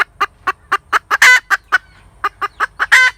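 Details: Cackling domestic hen: evenly spaced short clucks rising into two long, loud, grating squawks, with no other sounds.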